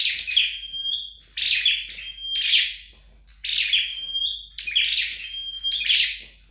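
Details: Red-headed flowerpecker kept at home for training, singing five to six rapid phrases, each a scratchy high burst drawn out into a pure, even whistle.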